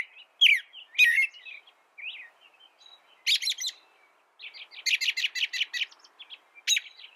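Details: American robin phrases: loud, slurred caroling notes, then a fast stuttering run of rapid high notes, and one closing squeaky phrase.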